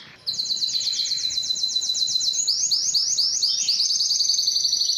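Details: Canary song starting after a short quiet moment: a rapid trill of identical chips, then faster rolling looped notes and buzzy high tours, continuous and loud to the end.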